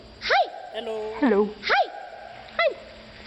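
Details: A pet common raven imitating human speech, with greetings like "hello" and "hi" said around it: four short, hoarse, voice-like syllables with arching pitch, the second a longer wavering phrase, over faint background hum.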